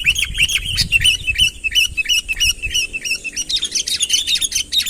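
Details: Sooty-headed bulbul calling to draw a rival nearer, no other birds mixed in: quick string of bright chirped notes, about three per second, some low rumbling early on and rising, jumbled chirps toward the close.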